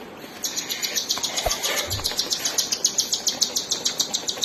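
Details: Cockatiel chicks being fed by their mother, giving a fast, rhythmic series of high, scratchy begging pulses, roughly three or four each second, with a soft wing flutter early on.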